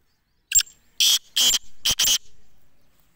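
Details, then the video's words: Black francolin giving its loud call: one brief clipped note, then four rasping, scratchy bursts in quick succession, the last two almost run together. A fading echo-like tail follows in otherwise quiet surroundings. "Kala Teetar Ki Awaz | Black Francolin voice | Kali Mai Ki Awaz"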